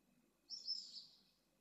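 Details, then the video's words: Pallid swift (Apus pallidus) at a nesting colony in Jerez de la Frontera, Spain, in 2022, where the last chick was returned to the nest: a single thin, high buzzy screech of about half a second over faint low hum. "Vencejo pálido"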